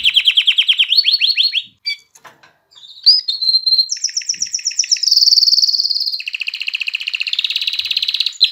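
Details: Canary singing to stimulate hens to breed and prompt chicks to sing: fast bouncing trills, a brief pause with scattered chips, then a clear whistle leading into dense, steady high rolls and a lower rapid tour.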